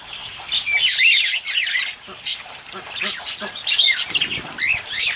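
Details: Several cockatiels bathing in rain: quick, high chirps and scratchy squawks in clustered bursts, bending up and down in pitch, over a continuous hiss of falling rain and water.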